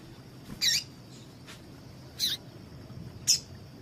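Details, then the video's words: A female double-collared seedeater gives calls meant to warm up males to sing: three brief, high, scratchy chirps within under four seconds, with soft background noise. "PIADO DE FÊMEA DE PAPA CAPIM PARA DEIXAR SEU PAPA-CAPIM DOIDO PARA CANTAR"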